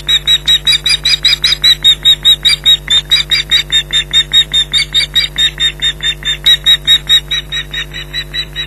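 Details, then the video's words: Alarm calls from an Osprey pair at their Loch Garten nest, 15 July 2011, late morning, both birds shouting at an intruder. An unbroken run of shrill, clipped yelps, about two or three a second, against a low hum. "Loch Garten Ospreys 2011 July 15th 11:03 - Intruder Alert"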